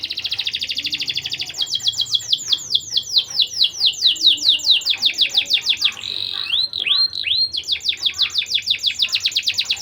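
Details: Canary song played to raise young canaries' breeding drive: dense buzzing trill opening into a long series of crisp falling chirps, a few looping whistles, then a rapid rolling trill again.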